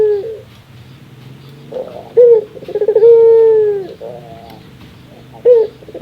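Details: Barbary dove (puter) giving its laughing call, described as its rarest sound: a short stuttering run of pulses swelling into a long, steady, slightly falling hooted note, with brief bursts before and after.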